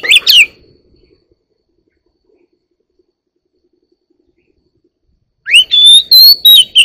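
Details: Oriental magpie-robin, one year old, singing: a brief burst of sharp whistled notes at the start, about five seconds of near silence, then a fresh phrase of rising and fluttering high whistles to the end.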